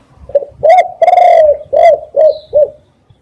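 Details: A single cooing phrase from a spotted dove, played as a decoy call: six low, loud coos, the second long and slightly falling, the rest short and evenly spaced, with a brief faint chirp.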